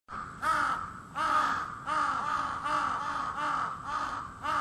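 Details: Crow cawing, as it does every morning from 4 a.m.: a steady series of harsh, nasal caws, roughly one every 0.7 seconds, over a light background hiss.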